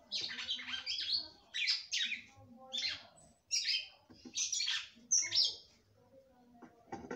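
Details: Female red-cowled cardinal in full song to stimulate the male: six or seven separate bursts of harsh, twittering high notes, each under a second, spaced by short quiet gaps over a faint hum.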